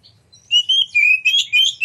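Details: Oriental magpie-robin giving a short phrase of sweet, sustained whistles that slide down then rise, followed by quick chirpy notes; used to provoke other magpie-robins to sing and display.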